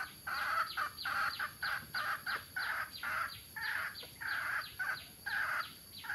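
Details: Grown mixed-breed junglefowl, males and females, from Tha Som, Nam Som in Udon Thani, repeat loud, coarse squawks in a fast steady rhythm of around two to three per second, close to the microphone.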